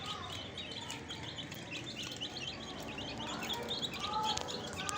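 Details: Fresh chicks in a group chirp constantly, with thin, high, slurred peeps tumbling over each other and a soft background hum.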